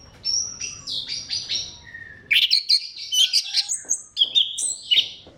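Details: Orange-headed thrush singing as a lure to prompt other thrushes to sing, with varied whistled phrases and sharp chirps, a short pause, then a faster run of rising and falling notes.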